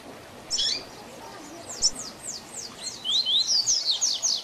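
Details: Double-collared seedeater training song for young birds to learn, in the 'Tui Tui Zel Zel' differentiated style. One high chirp opens, then sharp descending whistled slurs speed up into a rapid, buzzy run of high notes.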